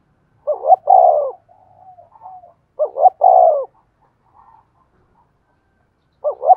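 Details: Decoy spotted dove calling to stir other doves to coo: repeated phrases of two quick hooting notes and a drawn-out descending coo, with faint soft murmurs between phrases.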